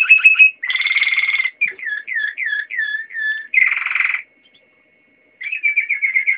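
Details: Singing Waterslager canary, Dutch recording: quick trill, a buzzy rolled tour, a run of repeated curved whistles, another dense buzzy burst, a pause, then fast bubbling trills.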